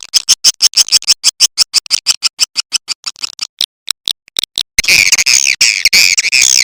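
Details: Swiftlet call played by Indonesian swiftlet farmers to draw birds in: evenly spaced dry, buzzy clicks about three per second that break off, then a dense burst of rasping, overlapping twitters.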